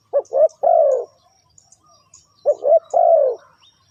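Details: Spotted dove call played as a lure for trapping birds: two phrases of low cooing, each with two short clipped notes and then a longer drawn-out coo that falls slightly. A quiet pause of about a second separates the phrases.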